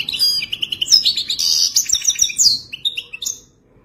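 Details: European goldfinch singing in the traditional wadani manner: a dense, rapid, chattering stream of sweet high notes and buzzy trills that breaks off near the end into a few clear whistled notes.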